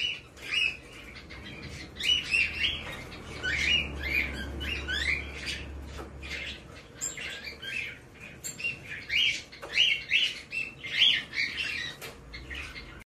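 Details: Young male White-bellied caique, a hand-tame chick in Fukuoka, Japan, 17 May 2024, repeating sharp, scratchy rising chirp-squawks in quick clusters, several per second at times, over faint indoor background hum.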